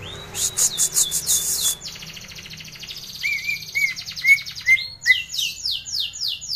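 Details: Greater green leafbird lure song meant to make birds sing: a dense burst of high rattling notes, then a buzzy trill, falling whistled notes repeated steadily, and a closing run of sharp high strokes.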